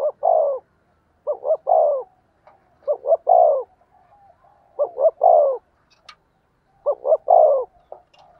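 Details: Ringing spotted dove coos meant to lure wild birds: each phrase opens with quick short notes and ends in a drawn-out downward coo, five phrases spaced roughly 1.5 to 2 seconds apart in quiet surroundings.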